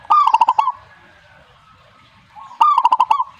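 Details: Two loud zebra dove phrases, each a burst of quick, even coo notes closing with a longer coo, separated by a quiet gap of about two seconds.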